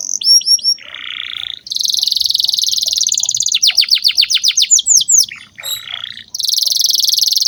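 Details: Actively singing canary in a lure recording for young canaries: high buzzy trills alternate with fast series of sharp rising whistled sweeps, loud and varied, with a short lower rattling passage midway.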